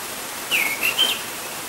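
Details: An orange-headed thrush gives a brief, sweet whistled phrase, dipping and then rising in short connected notes, heard from a balcony over the steady hiss of a loud gurgling stream.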